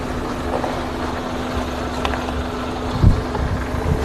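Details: Continuous motor rumble with wind noise and a sharp thump near the end.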